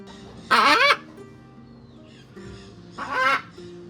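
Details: Reintroduced wild Blue-and-yellow macaws at a lodge in the Pantanal, Brazil, giving two harsh, raucous squawks about 2.5 seconds apart over soft background music.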